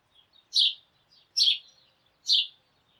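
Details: A flock of sparrows chattering at dawn: three strong, rasping chirps spaced under a second apart, with quieter chips and twitters from the rest of the group between them.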